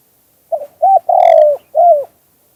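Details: Four-part coo phrase of a spotted dove in the 'two kuk hoi' style: brief rough note, brief rounded note, long drawn descending coo, and a closing downslurred coo, clear and loud against silence.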